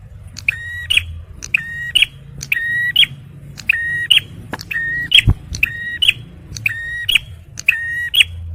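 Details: Repeated song of a male bar-winged prinia, intended for luring and prompting stressed birds: eight or so buzzy, level notes capped by sharp chips, about one per second, with low rumble and a couple of dull knocks.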